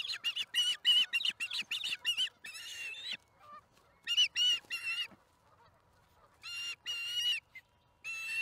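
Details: An osprey calls at its nest as a fish arrives, 26 April 2019 around midday: strident, repeated chirping in uneven bursts, some notes stretched into longer wavering whistles, separated by short silent gaps.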